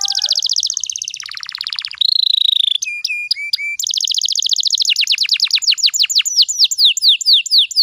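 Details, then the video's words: Canary lure song to get young canaries singing: rapid trills, a steady whistled tone, ringing chip notes, then a long fast series of sharply descending whistled notes. "PANCINGAN KENARI BAHAN AGAR CEPAT GACORR"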